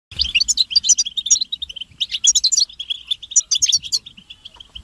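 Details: Group of European goldfinches chattering, used to stimulate males to sing and break their silence: dense tinkling twitter over a steady buzzy undertone, bursts of bright liquid notes coming in waves every second or so.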